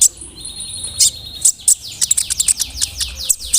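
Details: High-pitched brown-throated sunbird song, lure to anger other sunbirds: a long thin sustained whistle, then rapid sharp buzzy chirps in quick succession.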